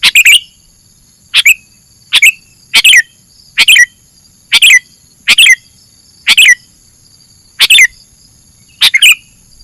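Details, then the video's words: Sooty-headed bulbul recorded as masteran material, giving bursts of harsh downslurred chirps spaced about a second apart, mostly paired. A thin constant high-pitched tone persists in the background. "kicau masteran burung kutilang"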